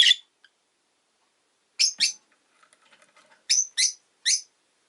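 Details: Pet rosy-faced lovebird chirping: a sharp note at the start, a pair of shrill buzzy chirps, faint soft clicks and rustling, then three more screechy chirps evenly spaced.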